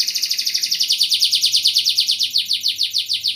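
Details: Canary singing vigorously in the 'cengkok mewah' (luxurious melody) style: a steady, high trill of rapidly repeated bright notes, about six per second, each slightly rising, evenly paced and sustained throughout.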